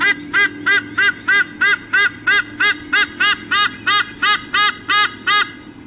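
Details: Eagle parents on a nest camera at Sydney Olympic Park, Australia, 3 August 2014, squawking together before a nest changeover. About eighteen loud, rasping, honking squawks run without a break at roughly three per second, then fade out.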